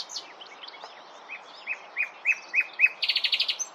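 A common nightingale sings six rising piping notes that swell steadily louder, then breaks into a fast, dry rattle; faint twitters from other birds sound at the start.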